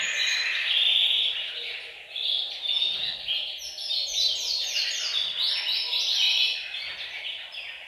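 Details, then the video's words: Canaries singing together in a bird room, a group chorus used to stimulate males to sing and ready females for breeding. Dense, high overlapping trills and twittering rolls sound continuously, with quick repeated sweeping notes in the second half. "أقوى تحفيز لتغريد وتجهيز الكناري، تغريد جماعي في غرفة الطيور"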